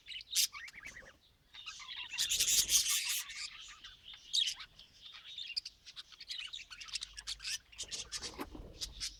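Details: Lively budgerigar warbling: a burst of dense scratchy chirps followed by a long run of rapid twittering notes, getting quieter toward the end.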